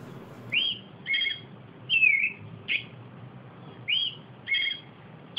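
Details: Austral thrush singing a sequence of short whistled notes, some slurred downward, others doubled with a lower harmonic, spaced roughly every half second to second, over a soft low rumble.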